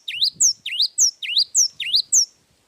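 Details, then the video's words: Java sparrow singing a long song, a steady series of high, sharp V-shaped chirps paired with thin downslurred squeaks, about three notes per second, then stopping at the end. "Suara burung gelatik wingko gacor suara panjang"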